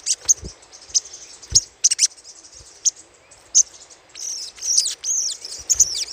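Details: Little spiderhunter lure chatter: regular sharp high chips about once a second. These give way to a busier stretch of scratchy, down-slurred twittering toward the end.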